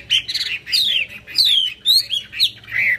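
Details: Hwamei song delivered with fanned tail and eagle-wing posture: a short burst of clear, loud whistles, some sweeping downward, others rising, separated by brief gaps, with a faint low hum underneath.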